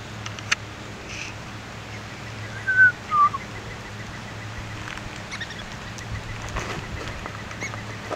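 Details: West Indian whistling duck at Martin Mere giving two short, clear descending whistles in quick succession, over a low steady hum and faint scattered background ticks.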